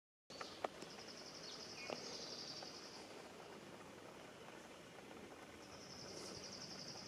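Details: Birdsong at Minnewaska State Park: a high, thin, rapid trill runs for about two seconds, then returns near the end, with a few short chirps between over steady outdoor hiss.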